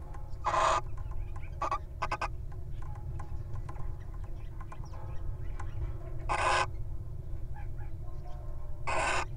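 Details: One little owl guards while its mate enters a nest box, wild birds: repeated loud rasping screeches, three main bursts several seconds apart with a shorter one between, over a low steady hum.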